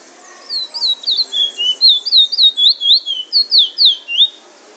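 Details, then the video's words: Trinidad bullfinch delivering drawl and wheet drawl song, over a dozen loud, pure whistled notes that swoop downward, closely spaced in an evenly paced run lasting about four seconds. "Bullfinch singing drawl and wheet drawl"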